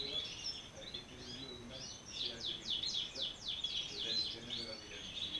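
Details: European goldfinch, male and female paired together. Bright twittering song of quick, descending high notes comes in rapid runs over a steady hiss.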